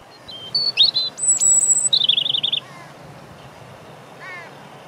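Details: European robin singing about 50 cm from the recorder in windy conditions at Deal, Kent, UK, 17 April 2021: a quick run of thin, high, varied notes, a sweet whistled phrase, a long piercing note, a rapid trill, then a faint soft phrase.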